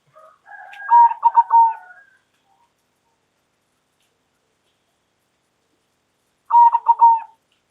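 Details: Loudly calling local zebra dove, two rolling coo phrases about five seconds apart, each a quick burst of stuttered notes settling into a held tone, the first preceded by a brief softer twitter; long silence fills the gap.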